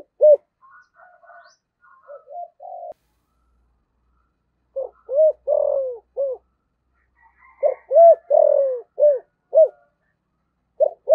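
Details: Caged decoy spotted dove cooing in 'giọng thổ' style. Soft, quieter notes come first, then two loud phrases of low hooting coos, each built around a long sliding-down note. Faint higher bird chatter is heard in between.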